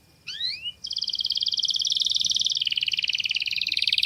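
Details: Canary masteran song of a clear voice: a couple of rising whistled slurs after a quiet start, then a long, loud, even rolling trill that drops slightly in pitch halfway.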